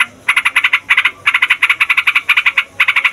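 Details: Yellow-vented bulbul (Pycnonotus goiavier) in fighting form gives a long rolling song, used to provoke other songbirds and lure wild or young bulbuls: quick bubbly notes bunched in bursts of four or five with brief pauses between.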